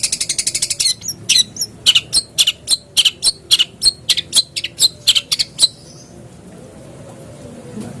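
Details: Long-tailed shrike, used as a lure to prompt a caged bird to start singing: a quick run of about a dozen rapid high notes, then sharp, high chirps at uneven intervals for several seconds before falling quiet.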